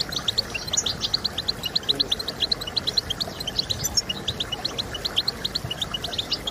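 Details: European goldfinch song played to encourage other goldfinches to sing: a steady stream of short, bright, high chirps and twitters in quick succession, with a constant low hiss underneath.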